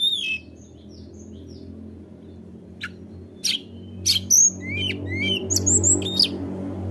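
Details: Tledekan gunung song meant to provoke rivals: sparse high chirps early, then a denser cluster of whistled and upslurred notes, over a noticeable low droning hum.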